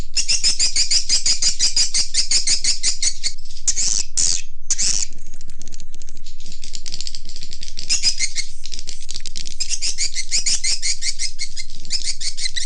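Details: Swiftlet lure call shared for swiftlet farmers to draw birds in: dense, steady streams of high twittering chirps, broken by a few louder harsh bursts near the middle, then settling back into quick, regular chattering.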